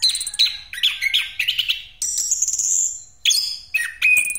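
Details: Orange-headed thrush singing in the rolling 'ngeroll' style, used as a lure for other birds: loud, varied bright whistles and rapid chattering phrases, sliding notes between high buzzy bursts, continuous with brief pauses.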